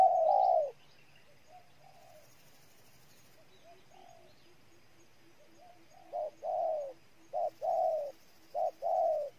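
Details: Spotted dove from Ninh Thuận, Vietnam, giving cooing calls: a loud opening coo, then quiet softer notes, then a run of short and longer coos paired in quick succession near the end, with faint chirps from other birds.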